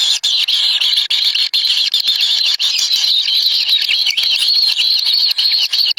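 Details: Kingfisher young at the nest begging while a parent feeds them a black lizard; an almost continuous high, wavering squealing chorus with tiny breaks.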